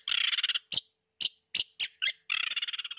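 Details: Oriental magpie-robin, hidden from view while calling vigorously: harsh, buzzy rattling bursts at the start and end, separated by four or five short rasping notes, with no other sounds heard.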